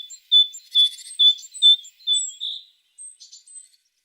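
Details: Tit song of clear, high whistled notes repeated at a steady pace, roughly two per second, ending in a slurred note and a few faint, thin high chips.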